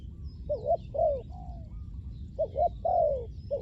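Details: Spotted dove used to lure wild doves, giving a few irregular soft coos, some paired and some drawn out and falling, with pauses between and faint hiss behind.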